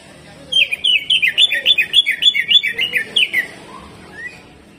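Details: Greater green leafbird, a caged songbird, singing a fast, rough gacor song of rapid chattering notes repeated about three or four times a second, sweeping up and down in a high register, then a few looser whistled notes.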